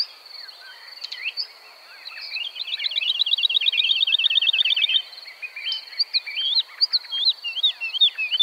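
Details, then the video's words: Woodlark song recorded in the Czech Republic: a fast, even trill of repeated high notes running for about three seconds, then separate slurred, falling whistles, over a steady high buzzing background. "Bird sounds – Woodlark (Lullula arborea)"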